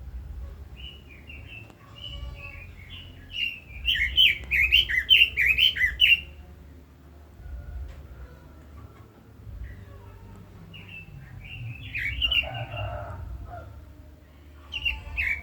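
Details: Red-billed leiothrix, a kept cage bird, giving scattered short whistled notes, then a loud burst of rapid warbled phrases for about three seconds, a quieter pause, and further brief whistled bursts later, over low background hum.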